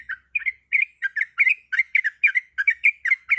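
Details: Female sooty-headed bulbul (trucuk) in breeding condition, calling to attract a male: a lively series of about fourteen short, bubbly, chirping notes, quickly repeated, on a clear quiet background.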